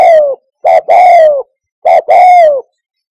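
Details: A spotted dove call meant for drawing doves to a hide during hunting: the tail of one falling coo, then two phrases of a clipped note followed by a long coo that drops in pitch.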